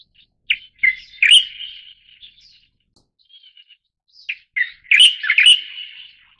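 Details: {'caption': 'Two phrases from a leucistic Light-vented Bulbul (subspecies formosae): crisp introductory chips followed by a rapid run of warbling, slurred whistled notes. A few faint twitters fill the gap of nearly four seconds between the phrases.'}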